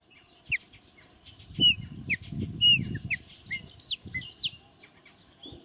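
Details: Chalk-browed mockingbird (calandria) singing in South America: a varied run of short whistled notes, some sliding downward, others brief and clipped, delivered in quick uneven bursts over low rumbling background noise.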